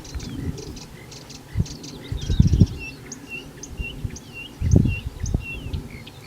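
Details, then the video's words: Marsh warbler, a mimic of many birds, delivering varied whistled slurs, rising and falling, mixed with buzzy notes, while low thumping and rumbling noise sounds underneath. "VARIASI KICAU MARSH WARBLER"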